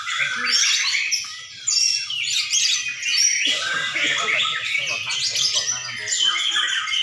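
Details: Contest white-rumped shama singing at a competition in Sidareja, Indonesia: fast, high, varied whistles and trills in tight bursts, briefly pausing near the midpoint, amid overlapping songs of other birds and low background chatter from people.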